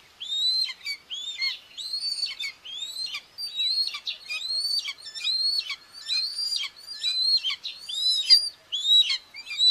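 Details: Common buzzards at a nest in Tiszalök, Hungary, on June 2, 2024, filmed by a live nest webcam as the mother feeds two chicks; high, thin, arched whistled calls come in quick series, roughly one every second, with faint overtones.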